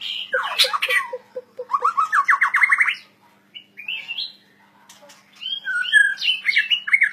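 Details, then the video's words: White-rumped shama (murai batu) singing energetically: a run of short low pulsed notes, then a fast rising series of bright notes, followed by a pause and then mixed whistles and chattering phrases. A faint steady low hum sits underneath. "murai batu gacor owor owor"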